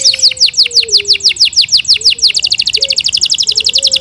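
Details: Yorkshire canary kept at home delivering a series of sharply falling whistled notes about four per second, accelerating into a rapid dense trill, over a soft low drawn-out tone.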